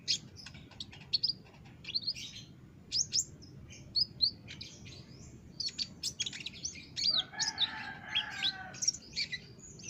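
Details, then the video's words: A loud, insistent olive-backed sunbird on a training master for caged birds: rapid high chirps and sharp ticks in an unbroken stream, with a lower harsher warbling sound briefly underneath toward the end. "masteran burung konin gacor dor"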